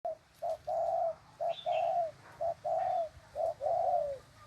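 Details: Spotted dove cooing: a short note, a long drawn coo, then the same short-long pairs repeated steadily, low and mellow. A faint higher chirp from another bird is heard once.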